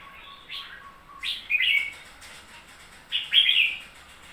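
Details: Newly bought red-whiskered bulbul singing three short, bright warbled phrases, each a quick rising-and-falling flourish, separated by brief pauses over a quiet hiss.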